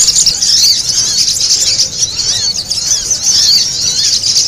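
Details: Noisy spiderhunter lure sound: rapid, very high squeaky notes and thin rising and falling chirps crowd together in an unbroken, excited chatter.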